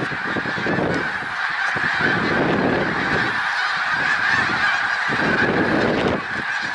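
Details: A massed chorus of snow geese at Middle Creek Wildlife Refuge, Pennsylvania, 1 March 2021. Countless overlapping high honks blend into a steady clamour, swelling louder in waves with scattered lower, harsher notes.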